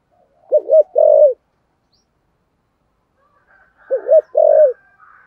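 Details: A Spotted dove, singing the 'giọng thổ sấm' style of 'thúc gù' cooing, repeats its low phrase twice: a quick wavering double note, then a long flat coo. Faint soft chirping is heard near the end.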